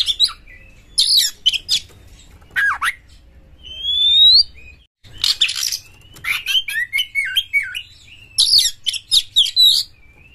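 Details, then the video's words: A champion oriental magpie-robin singing nonstop as a lure for other magpie-robins: scattered harsh chirps, a clear rising whistle, then an energetic stream of twisting, warbled notes and sharp bursts, with a steady hum in the background. "Pancingan Kacer Juara Gacor FullEmosi Buka Ekor KONSLET memancing KACER LAIN"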